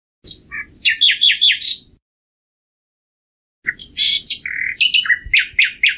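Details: Two varied common nightingale phrases separated by a pause. The first has a whistled opening and quick repeated chipping notes. The second is a busy jumble of high chirps, slurs and rapid ticking notes.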